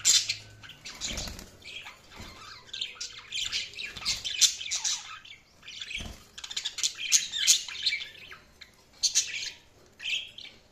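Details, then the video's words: Budgerigars chattering as they feed, a busy stream of buzzy, scratchy chirps and warbles in irregular bursts, with a few soft thuds and brief pauses between flurries. "budgies feeding | budgies chirping sound"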